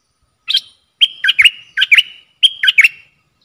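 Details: Red-whiskered bulbul decoy bird luring wild birds, 23/07/64: lively whistled phrases repeated four times about every half-second, each a short level whistle running into two or three bubbly, dipping notes. No other sounds.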